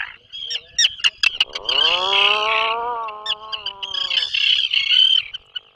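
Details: Atlantic puffin in its breeding burrow 21 miles off Maine; sharp clicks, then a long falling, harmonic groan lasting about two seconds, surrounded by high raspy chatter.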